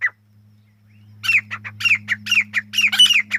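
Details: Chukar partridge calling, a single note followed by a rapid run of harsh, downward-slurred chuck notes at about two per second; steady low electrical hum underneath.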